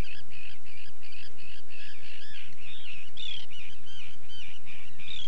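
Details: Common tern in the UK, field recording: several harsh, arched calls overlap in quick succession, some fainter and more distant, giving a busy, chattering feel over a soft background hiss.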